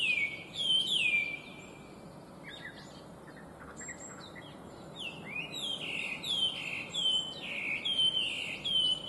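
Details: Chinese hwamei, a bird listed among the worst invasive species, giving clear, complex song: two loud swooping whistles, a quiet gap with scattered faint notes, then a long string of rapid looping whistled phrases.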